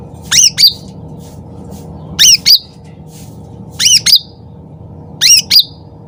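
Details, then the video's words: Sooty-headed bulbul singing loud and lively for luring, with four doublets of sharp, shrill up-and-down notes spaced about one and a half seconds apart over a constant low hum. "cucak ranting gacor suara keras nembak"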